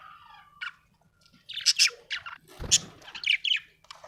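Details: Happy budgerigar chirping: bursts of scratchy, buzzy chirps and short squawks, high and broadband, coming in irregular clusters with brief pauses and a faint low hum beneath.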